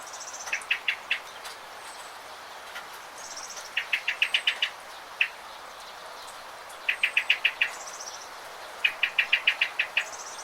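A bird sings quick bursts of three to seven sharp, chirping notes every couple of seconds, with thin high whistles between and a steady outdoor hiss.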